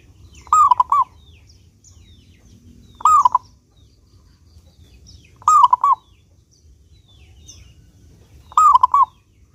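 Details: An energetic local zebra dove used as a lure to get others singing. It repeats a rolling, bubbling cooing phrase four times, roughly every 2.5 seconds, with near silence between. Scattered faint chirps from other birds are heard.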